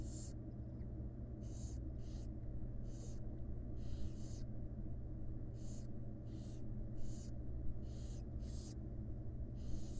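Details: Wild barn owl nestlings in a research nest box being fed by the mother, giving around a dozen short, raspy hissing bursts at uneven intervals, low steady hum underneath.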